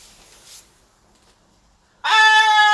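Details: Pet blue-and-gold macaw playing, with one loud, steady, harmonic squawk bursting out after two seconds of near silence and lasting under a second.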